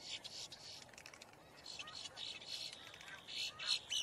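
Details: Boat-tailed grackle giving harsh, noisy calls, given as distress or alarm calls: irregular scratchy bursts, louder and rougher near the end, with a faint lower whistle.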